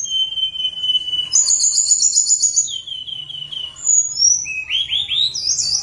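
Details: Flute-like song of a tledekan gunung for luring lazy birds into singing: long high whistled notes and a trill, then gliding whistles and a quick run of rising chirps at the end.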